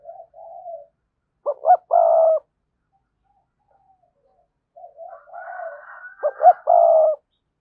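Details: Spotted dove decoy bird with a strong, lively voice giving its standard decoy song: soft low coos, then two full phrases of two quick rising notes and a long steady crooning note. A fainter, higher drawn-out tone sounds in the background.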